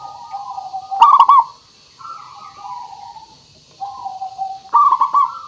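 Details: Local zebra dove singing as a lure for other birds: a clicking, bubbling coo burst, a pause of smooth descending coos, then a second rolling burst near the end, over faint hiss.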